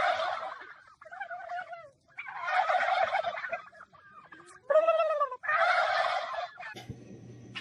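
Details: Turkeys gobble in a series of rough, rattling bursts separated by short pauses, with a brief electronic tone near the end.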